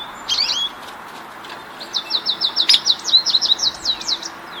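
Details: American Goldfinch in an apple tree in morning sunshine, singing a series of quick, bright, wavering high notes after one opening chirp, run together into a rolling trill of a dozen or so notes.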